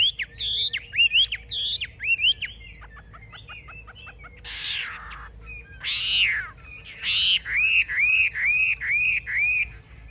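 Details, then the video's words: Chinese hwamei in a cage, a bird bred for fighting that shows with raised wings and spread tail: sharp whistled phrases, a rapid ticking series, several harsh rasping bursts, then evenly spaced arched whistles repeated quickly. "Họa mi chơi cánh cao đuôi xòe"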